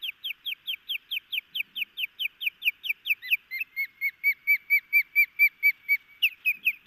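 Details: Alert osprey at a Missoula, Montana nest after midnight in June 2018, the male going after an intruder twice: a long, steady series of rapid, high, piercing chips, a second lower-pitched series of repeated notes joining partway through.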